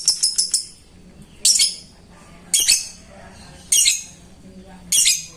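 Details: Lovebird calling a rival, used as a lure for birds that rarely sing; a quick run of four short chirps opens, followed by four loud, shrill, rasping shrieks about a second apart.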